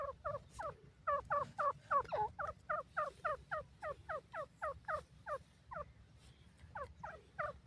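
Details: Newborn grey francolin chicks exploring forest in their first days: quick, regular downward-slurred peeps repeated nearly four times a second, with a short pause before the series resumes, over a low background hum.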